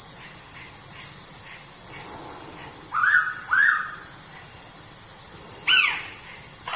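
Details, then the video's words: Pitta at Tha Pom, Krabi, in Thailand, uttering a pair of rounded, arching whistles, followed later by a brief sharp descending note, over a persistent buzzing insect background. "แต้วแล้ว ณ ท่าปอม@กระบี่"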